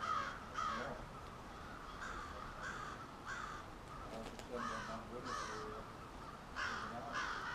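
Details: Crows massing at a nightly roost in suburban Halifax, Nova Scotia, give repeated harsh caws. Near and distant birds call over one another, and some calls are short and clipped while others are drawn out.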